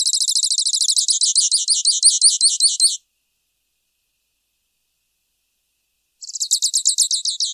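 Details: High, rapid trill of the grassland yellow finch (Sicalis luteola), about three seconds of repeated zigzag notes, silence, then a second trill begins.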